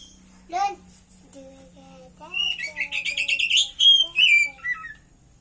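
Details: Caged Oriental magpie-robin singing a song filled with mimicked cililin phrases, under care for only a short time: varied loud whistled notes, rising and falling slurs and rapid high twittering runs in a quick, rich sequence lasting a few seconds, with a faint low hum behind.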